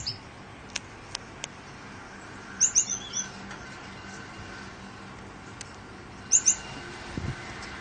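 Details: Caged recessive dilute back and blue Gouldian finches, males and females bred from green back parents. Two bursts of sharp, very high chirps, three or four notes each, set against a constant droning fan.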